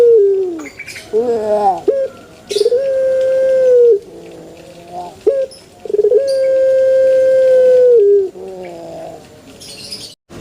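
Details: Pelung chicken crowing: short rising lead-in notes, then two long, steady, drawn-out tones of about two to three seconds each, ending with a slight downward fall, and a faint clatter between.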